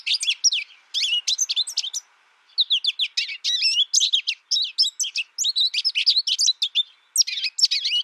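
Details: American goldfinch singing a busy, high-pitched medley of quick chirps and slurred twitters, a short pause after two seconds, then a dense flowing run.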